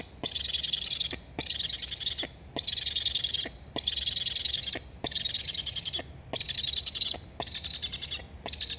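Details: On a Black stork nest in Estonia, recorded by live camera on 26.08.21, a chick begs for food while its sibling flies along the nest; a long series of harsh, buzzy chirps pulses about once a second, eight in a row.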